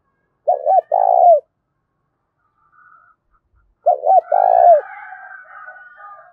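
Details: Spotted dove giving a loud, resonant cooing to provoke fighting: two phrases, each of two quick looping notes then a longer burry, down-slurred coo; a faint buzzy, wavering trail follows the second phrase.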